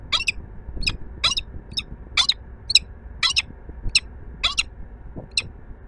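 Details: Peregrine falcon at the Palace of Culture and Science in Warsaw, Poland, giving a series of harsh, grating, high calls, about ten in six seconds at roughly half-second intervals, over low rumbling city noise.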